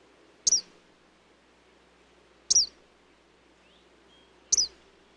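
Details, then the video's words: An Eastern Kingbird gives sharp, high buzzy notes, one every two seconds, each a quick sputtering burst over a quiet background. "EASTERN KINGBIRD SOUND EFFECT"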